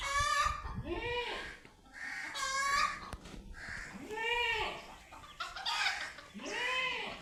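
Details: ['A chicken meeting a cat for the first time gives loud, harmonic squawking calls. Each call rises and then falls. About five come in seven seconds, with brief gaps of background noise between them.']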